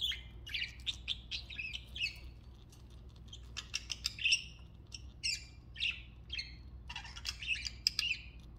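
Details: Pet budgerigars chatter in the morning in quick, scratchy chirps and warbles, a busy stream of high notes.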